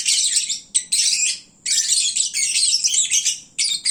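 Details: Noisy lovebirds calling at midday after feeding, when drowsy: continuous high, scratchy chatter broken by brief gaps, with squeaky notes layered over one another in a busy, market-like din.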